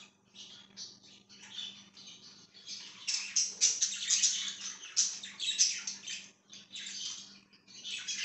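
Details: Chattering pet budgerigar, 5/10/2023: continuous rapid scratchy twittering that grows louder and busier halfway through, with a quiet electrical hum in the background.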